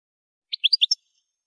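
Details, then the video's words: Goldfinch in a song-training recording: a short burst of five quick high chirps, each lasting a fraction of a second, with no other sounds. "Song Goldfinch Training Enhancing Their Musical Abilities"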